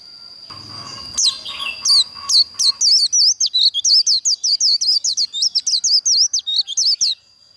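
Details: White-eye líu song for contest training and provoking rivals: after a few hesitant notes, a long, fast string of sharp, high, zigzag whistles lasting about five seconds over a continuous thin high tone.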